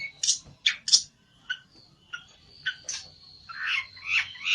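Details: Agitated olive-backed tailorbird seeking a rival, giving sharp isolated high chirps with gaps, a faint thin whistle, then a denser burst of loud notes.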